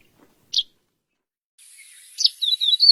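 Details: A bird gives one short high chirp, then after a pause launches into a rapid twittering run of chirps and thin warbled notes over a high hiss.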